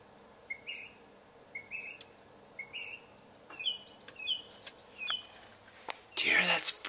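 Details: A bird singing around 12:30 a.m., as it does every night: three rising whistled notes about a second apart, then quicker, higher chirping phrases, ending in a short burst of rustling noise.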